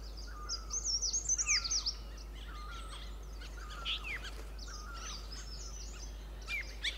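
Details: A pair of white-eared bulbuls perched on a shrub at a sanctuary at Pari Tibba, Motidhar, give short, bubbly whistled phrases with quick rising and falling notes, while a hill barbet also calls, over a steady low hum.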